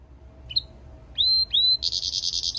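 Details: European goldfinch × canary mule singing, giving a short high note, then two loud whistled notes that slide down and level off, followed by a fast buzzy trill of repeated high pulses.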